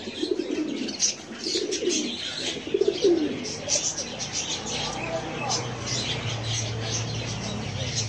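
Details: Domestic pigeons kept at home, with squabs, giving soft, low cooing and murmuring calls against a steady background hiss.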